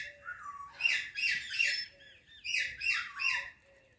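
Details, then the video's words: Rose-ringed parakeet, a ringneck talking parrot, chirping in clusters of raspy, slurred notes, with two bursts of rapid chattering separated by a brief pause and faint low whistles underneath. "Ringneck Talking Parrot Natural Sounds | Calming Parrot Chirping Sounds"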